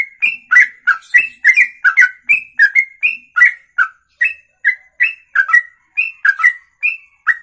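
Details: Songbird delivering ropelan, a long song in one breath beyond two minutes: a continuous run of loud whistled notes, roughly two to three per second, alternating rising and falling slurs with crisp high edges.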